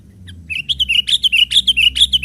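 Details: Young sooty-headed bulbul playing on branches, used as a lure for wild birds: a lively run of short, bubbly whistled notes repeated rapidly, about ten notes in under two seconds, with a low steady hum behind.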